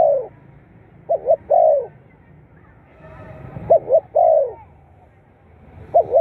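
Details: Spotted dove calls, played to stimulate captive birds into calling: low, mellow cooing phrases, each a quick double coo followed by a longer falling coo, repeated with pauses. A faint low murmur sits underneath.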